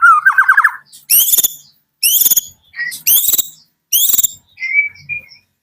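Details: Medan white-rumped shama singing in the morning: a fast trilled whistle opens, followed by four evenly spaced, harsh buzzy bursts roughly a second apart and a faint thin whistle to close.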